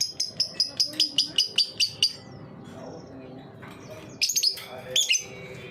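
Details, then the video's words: Ngetik lure song of a lovebird meant to prompt young birds to sing: about ten quick, evenly spaced high clicks over two seconds, a pause, then two scratchy chirp bursts. "Burung Lovebird ngetik pancingan lovbird paud"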